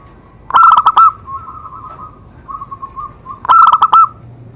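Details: Perkutut song used to prompt other zebra doves to sing: two loud bursts of quick, clipped coos three seconds apart, with faint, broken cooing between them.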